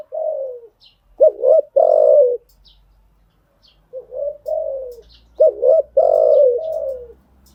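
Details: Spotted dove decoy cooing for training new birds: low hooting phrases alternating softer drawn coos with louder double-hoot-and-coo patterns, faint high chirps and a low rumble in the background.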